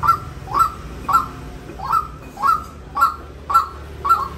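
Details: Eight loud, rasping kwak notes from a white-breasted waterhen, spaced evenly about half a second apart, each with a short falling tail, against a quiet low rumble.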